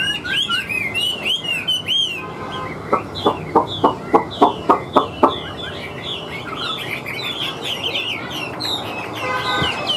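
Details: Wild Chinese hwamei singing with strong voice: a run of repeated whistled upslurs, then a series of about eight sharp knocking clicks at regular intervals, followed by softer varied whistles and slurs.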